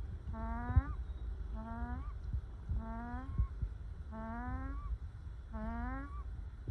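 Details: Relaxed ducks in sunshine repeat a nasal, slightly rising call about every 1.2 seconds, five calls in all, over a steady low background rumble.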